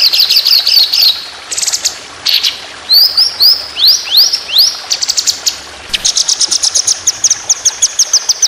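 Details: A white-rumped shama sings long rapid 'tembakan' bursts for contest-bird training: fast high rattling runs, a few rising whistled slurs, then an extended, evenly spaced string of sharp high notes.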